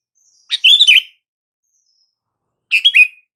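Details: Two rich fluting, warbled phrases from a sooty-headed bulbul, separated by about two seconds of silence, used as a call to make silent bulbuls react.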